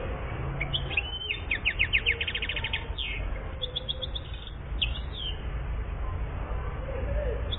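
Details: A one-year-old European goldfinch in Algeria in 2014 sings a bright, tinkling twitter with a fast run of repeated notes and brief buzzy trills, over a low steady hum.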